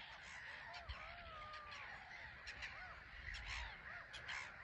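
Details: Black-headed gulls crowding a small island at Frampton Marsh; quieter background of many scratchy overlapping calls, with a few thin, drawn-out whistled notes gliding across the chorus.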